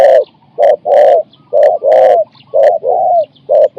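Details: Spotted dove used as a decoy to lure and catch wild doves in Thailand, a cooing style of four to five notes. Loud, low, hollow coos in short groups, each note slightly falling, with brief pauses between phrases.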